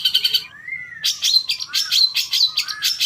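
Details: Long-tailed shrike song meant to prompt a caged bird to respond: a varied sequence of high, scratchy bursts mixed with softer slurred whistles, rising and falling quickly.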